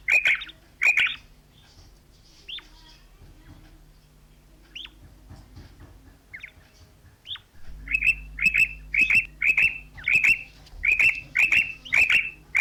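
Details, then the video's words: A female common quail, used as a hunting call, gives sharp, high, clipped notes, scattered at first, then a quick run of paired calls about twice a second over a low steady hum. "Maadi Batair Ki Awaz| Common Female Quail Calling | female Quail sounds | Batair Ki karkari"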